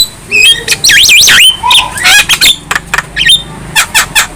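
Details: Head-bobbing young Javan myna pours out a loud looping whistle that dips and rises several times, followed by a lower whistled note, raspy bursts and a string of short clicks.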